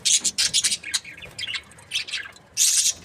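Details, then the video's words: Breeding pairs of budgerigars chatter rapidly in high, scratchy bursts that come almost without pause, with a loud grating flurry near the end. "Amazing budgies chirping sounds"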